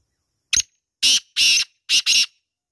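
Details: Black francolin calling: one short harsh note, then four loud, grating, broadband bursts in two pairs, each about a quarter second long, in a quiet setting.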